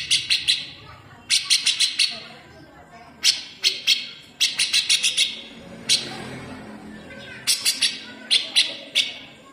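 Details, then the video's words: Cucak jenggot, or grey-cheeked bulbul, in a fast besetan used to train cage birds: clusters of harsh, sharp high-pitched notes fired in rapid series, separated by short pauses, against faint background hiss. "CUCAK JENGGOT GACOR BESETAN RAPAT"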